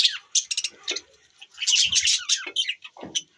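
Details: On December 25, 2023, budgies give rapid high chirps and scratchy warbles, a sustained chattering burst in the middle, then short clipped squeaks.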